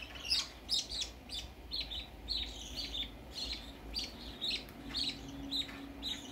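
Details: First outing of a baby budgerigar, with short, sharp chirps repeated about once a second in a fairly even series.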